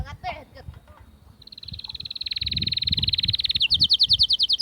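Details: Atlantic canary song, meant for tutoring and to stimulate females for mating: a few brief chirps, then a long rapid trill of even, high notes that speeds into bright, sharp repeated notes near the end.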